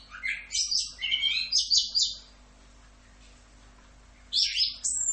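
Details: An orange-headed thrush sings a 'Rock'n Roll' tutor song: two seconds of rapid scratchy, high, mixed notes, then two seconds of near silence before a loud, bright burst resumes.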